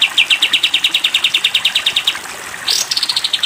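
Sooty-headed bulbul song: a long, fast run of bright, high chipping notes, about ten a second. A quick rising sweep follows, then another rapid series.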